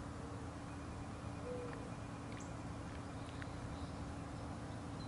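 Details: A mourning dove gives soft, low, hollow cooing notes early in the morning, over a steady background rumble.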